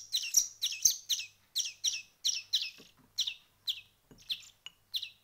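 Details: Hand-fed European greenfinch nestlings after one week of hand-feeding, calling with sharp, high, downward-sweeping begging chirps repeated about twice a second, steady and insistent, with a faint low hum behind.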